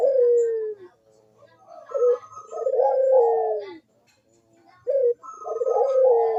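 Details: Barbary dove, locally burung puter, cooing to prompt lazy doves to call: a long gliding coo, then rolling throaty phrases ending in a drawn-out falling note, the pattern repeating after a short silence.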